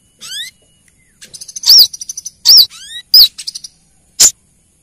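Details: Female Brown-throated sunbird calling a male: thin rising whistled sweeps, then fast high trills broken by three loud piercing slurred chips and a final sharp note.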